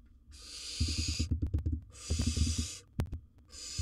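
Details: Wild barn owl in its nest box, swallowing large prey; loud breathy hisses roughly every one and a half seconds over rapid tapping and scuffling underneath.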